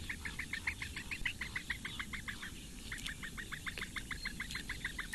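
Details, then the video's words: Four young Eurasian bitterns in a Latvian reedbed nest at Lake Engure, fed by the female in mid-May; rapid series of sharp ticking begging notes, pausing briefly midway, then resuming steadily over faint background hum. "Latvian Bittern~Breakfast for the four chicks~"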